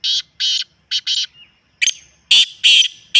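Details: Harsh grating call of a black francolin, meant to prompt a kept bird to answer: loud paired buzzy notes, a faint short whistle, then another rapid series of rasping syllables.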